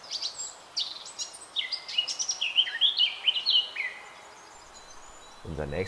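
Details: Male Eurasian Blackcap song: a rapid scratchy chatter that turns into clear, wistful fluting whistled phrases, followed by a brief low sound at the end.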